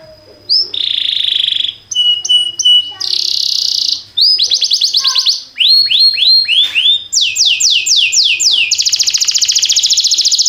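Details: Canary song for training other canaries, a varied sequence of phrases: buzzy trills, short piped notes in threes, runs of falling sweeps, a rapid rattle of descending notes and a final fast, very high trill.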